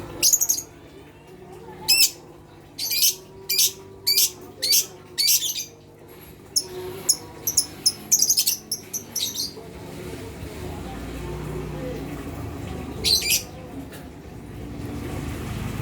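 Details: Lovebird provocation calls aimed at silent young birds: a long series of piercing, high chirps spaced about half a second apart, then a rapid cluster of shorter notes and one late burst, over low hum.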